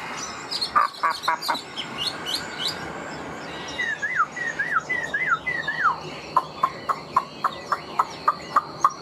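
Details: Caged Chinese hwamei with new feathers, giving a mix of high chips, a descending series of slurred whistles, then regularly repeated sharp clicks about three per second.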